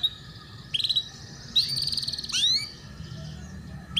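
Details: Canary tutor song for young canaries learning the ngeriwik style: a sustained high whistle, then rapid buzzy trills and a sharp downward sweep, separated by quieter gaps over a faint steady hum.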